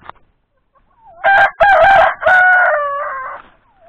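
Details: Rooster kept alongside turkeys, giving one loud harmonic crow of about two seconds. It opens in choppy bursts, then holds a long steady note that fades out. Faint softer fowl notes come just before and after.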